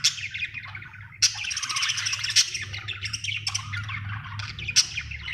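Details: Happy budgerigar chirping steadily: dense, scratchy warbled chatter in a continuous stream, with sharp clicks and squeaks every second or so and a low background hum.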